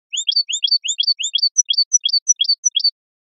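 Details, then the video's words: European goldfinch song from an early-2000s recording used to train young, adult and hybrid goldfinches: a rapid, tinkling series of high twittering notes, about three per second, bright and liquid, with no other sounds. "canto jilguero"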